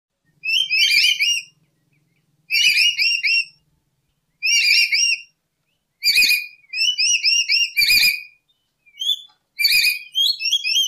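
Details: Lory, also called nuri or urip, song used as a lure for trapping: loud bursts of rising, slurred whistles with many harmonics, in phrases roughly every two seconds against silence.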